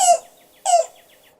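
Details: A Yellow-billed Cuckoo, a treetop bird heard along the river in summertime, gives two harsh, guttural notes about half a second apart, each followed by faint echoes.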